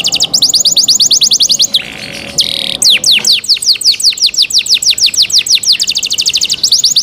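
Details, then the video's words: Cenkok-style canary song: a fast, even trill of high notes, a brief buzzy burst, then a long series of falling whistled sweeps repeated several times a second. "LUXURY CENKOK CANARI SOUND, CLEAR SOUND"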